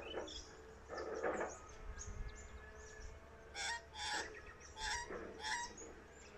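Australian magpie giving harsh, nasal squawks with a buzzy edge, several bursts a second or so apart, over a low background rumble.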